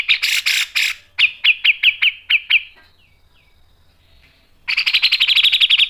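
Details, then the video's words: Cucak jenggot, grey-cheeked bulbul, singing for a masteran recording: harsh chattering notes giving way to a series of sharp separated pips, a quiet pause of nearly two seconds, then a rapid buzzy rattle. "MASTERAN CUCAK JENGGOT GACOR MBESET NGEPIK dan NEMBAK tajam | PANCINGAN CUCAK JENGGOT"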